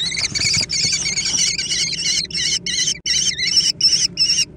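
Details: Young American kestrels competing for food: a loud, almost unbroken run of shrill, quavering screeches, the calls blurring together at first, then breaking into separate bursts roughly every third of a second.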